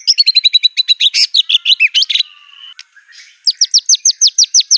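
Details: Frenzied white-rumped shama song full of mimicked canary, cililin, cungkok and lovebird phrases: rapid repeated high chips and trills, a brief drawn-out buzz, then a fast series of sharp descending whistled notes.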